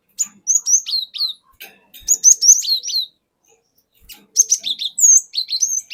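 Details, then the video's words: Forest-caught cinereous tit's long rolling song used to lure other birds: three bursts of rapid, sharp, high whistles sliding downward, ending with a long clear sweeping note. "Pancingan Burung Glatik Batu Bahan Hutan Auto Ngeplong Wucit Wuit Ngerol Panjang"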